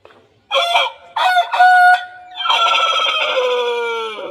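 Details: Aseel rooster crowing, presented in slow motion. Two stuttering, harsh opening bursts lead into a long, sustained, rich tone that slowly falls in pitch toward the end.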